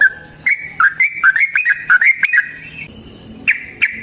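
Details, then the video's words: Yellow-vented bulbul in a long, rapid fighting song used to goad other bulbuls into singing: sharp slurred chirps, some rising and some dropping, spaced about half a second apart, then a short pause and two final notes. "TRUCUKAN GACOR TARUNG ROPEL PANJANG PANCINGAN TRUCUKAN Agar Bunyi Jadikan Burung TRUCUK GACOR EMOSI"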